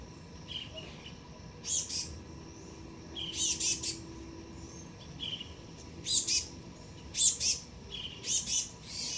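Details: Juvenile male black-goggled tanager visiting a garden fruit plate for the first time, watched by a pair of dusky-legged guans. High, sharp chip notes in short clustered bursts, irregularly spaced over steady faint background hum.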